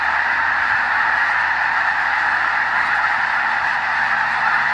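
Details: At the Hayton Snow Goose Reserve near Conway, Washington, part of the Skagit Wildlife Area, a large gathering of snow geese gives loud, unceasing massed honking, with no pauses and no individual calls standing apart.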